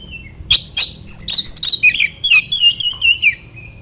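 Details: Song of an oriental magpie-robin, played to make rival males agitated: two harsh clicks, then a quick chain of sweet whistles and descending slurs, lively and continuous for about three seconds.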